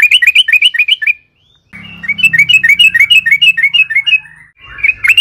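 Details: Yellow-vented bulbul lively song, played as a lure for other bulbuls: quick runs of bubbly repeated notes with a low humming background and a short gap between phrases.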